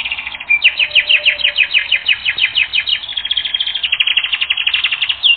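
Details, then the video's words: Canary song from a training recording: a dense, continuous rolling trill of fast downswept notes, roughly three per second, changing texture midway into a quicker, tighter chatter before ending on a short whistle. "Canary Training Record N°10"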